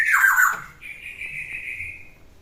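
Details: Ten-year-old black-naped oriole still singing lustily: a rough falling squawk followed by a long, steady, slightly fading nasal note.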